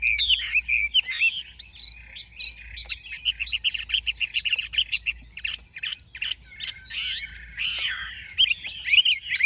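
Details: Chinese hwamei, a big-bodied bird, pours out a long continuous song of bright whistles, warbles and scratchy fast notes, tumbling from phrase to phrase almost without a break.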